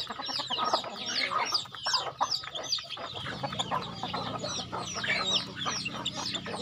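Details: Chickens on a home farm during feeding, a flock giving dense, overlapping high peeps that slur downward, mixed with lower clucking and scratchy rustling throughout.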